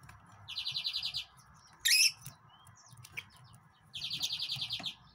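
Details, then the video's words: Yellow-fronted canary, called Mozambique canary or green singer, singing: bursts of rapid, evenly repeated high buzzy trills lasting under a second, separated by a sharp high chip, over a low steady background hum. "طائر الياسمين كنار الموزمبيقي GreenSinger"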